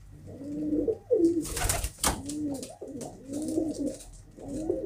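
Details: Pigeon coos, low and arched, repeated steadily while loud flapping or rustling bursts cut through in the first half.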